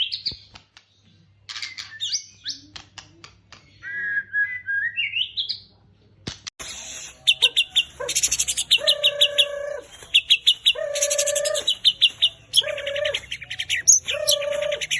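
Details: White-rumped shama (murai batu) lure song for training captive birds: rising squeaky whistles at first, then loud rapid rattling phrases with steady low whistled notes, repeated in bursts about three times a second.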